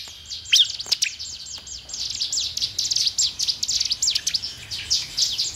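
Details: Bar-winged prinia singing, used to encourage caged birds to sing quickly: after a few isolated sharp notes, a fast, busy chatter of high, sweeping chirps runs continuously.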